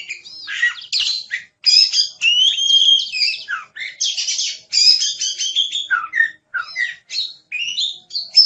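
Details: Kacer (oriental magpie-robin) singing energetically: dense mix of high clear whistles, rapid trills and harsh chattering notes in quick varied phrases with short gaps.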